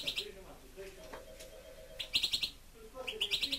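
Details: A pet European goldfinch (sticlete) kept indoors gives short bright chirped bursts, three quick clusters of high twittering notes spaced about a second apart, with a person talking softly underneath.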